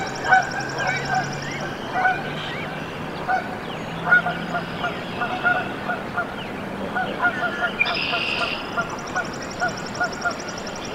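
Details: Goslings hatching in a Canada goose nest, Decorah, Iowa, USA, 14 April 2024: a steady stream of soft, quick piping notes throughout, a high rapid trill of another bird at the start and end, and low hum.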